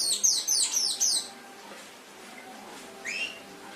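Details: Canary tutor-song excerpt: about a second of quick, bright, descending high trilled notes, then near silence with one short rising chirp near the end.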